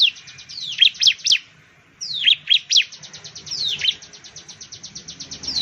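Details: Bar-winged prinia (perenjak jawa) from Indonesia. Quick runs of piercing down-slurred notes alternate with long, even, buzzy pulse trains that tick along steadily, followed by a brief pause before the next run.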